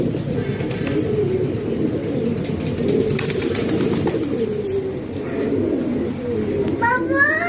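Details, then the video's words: Low rolling coos from a group of house-kept pigeons in Pakistan fill the air continuously. Near the end, a short high rising whistle cuts through. "Pigeon Sound"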